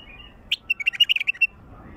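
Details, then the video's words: A wild bulbul sings a quick, liquid phrase of about nine bright chirping notes, bubbling up and down in a second, then stops, over a faint low hum. "تغريد بلبل وحشي"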